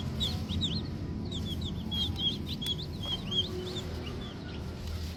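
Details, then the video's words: Young green junglefowl chicks peeping: quick thin chirps, mostly rising or falling slides, several birds calling over one another against a low background hum. "lucu juga ya anakan ayam hutan kalau masih kecil"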